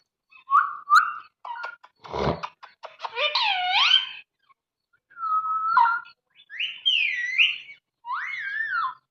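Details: Pet parrot talking while playing indoors: short whistled, voice-like phrases that bend up and down with bright overtones, separated by brief pauses, plus a soft thump and some clicking near the start.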